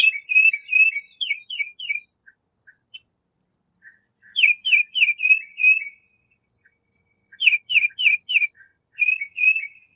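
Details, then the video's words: Tufted titmice whistling quick downslurred notes in bursts of four or five, separated by short pauses, with soft high chips and twitters scattered between the phrases. "ASMR- Bird Songs of Tufted Titmouse"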